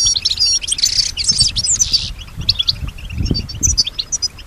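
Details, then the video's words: European goldfinch, female, responding musically to other sounds: dense high twittering trills for two seconds, then lighter scattered chirps, with some low rumbling noise underneath. "Solutions to keep your goldfinch healthy and singing with strong stimulation"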